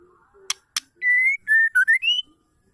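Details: White-rumped shama female calling to provoke males to sing: a single whistled phrase, a long level note, then shorter notes dipping low and climbing higher, preceded by two sharp clicks.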